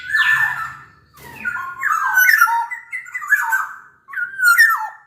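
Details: Energetic song of a Sumbawa black-naped oriole: a near-continuous run of fluty, twisting whistles mixed with nasal, squawky notes, broken by one brief pause.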